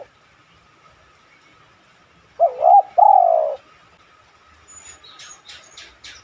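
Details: Lure call of a spotted dove to set other doves cooing: a single phrase of two quick notes followed by a long, falling coo, with thin high chirps from small birds afterward.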